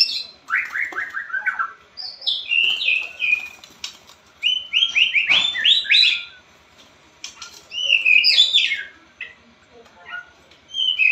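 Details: A white-rumped shama sings a loud, training-style song meant to prompt quiet birds to sing: descending whistled runs, rapid chattering notes and sharp high accents in bursts with short pauses.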